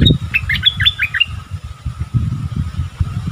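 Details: {'text': 'A wild striated bulbul during a heated exchange between birds, 8 February 2021, gives a brief jumble of bright, fluttering whistled notes at the start, followed by continuous low rumbling noise.'}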